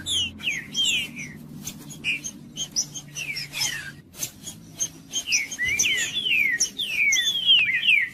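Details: Song of a male green-winged saltator (trinca-ferro) in fighting condition, used to fire up a rival male: falling whistled notes mixed with clicking ticks, building into a denser run of overlapping slurred whistles toward the end.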